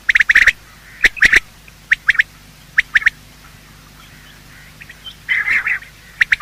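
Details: Morning calls of male and female quail, used for hunting: a quick opening flurry of sharp notes, then sparse single and paired notes with long gaps, a brief rough chatter, and a closing note.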